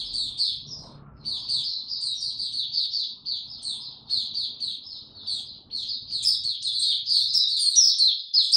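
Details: In warm, very humid weather on 26 March 2022, a white-eye pours out a long, breathless series of high, thin chirps and trills after a brief pause, rising in intensity toward the end, with faint low background hum.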